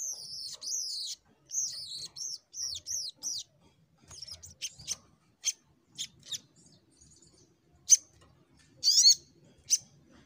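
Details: Little Spiderhunter (sogok ontong) in full fighter mode with 'nembak' singing, heard a little softer: a string of wavering high whistled phrases, then scattered short ticks and a few sharp chirps, with faint low background rumble.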